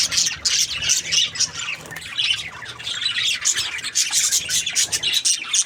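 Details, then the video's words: Chattering budgies fill the air with rapid high squawks and scratchy warbled notes, several birds calling over one another, steady throughout with brief dips in loudness. "Budgies Parrot chirping sound | parakeet sounds"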